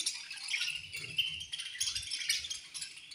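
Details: Budgerigar colony at feeding time; dense, overlapping high chirps and warbling chatter from many birds, continuous throughout, with soft low thumps underneath.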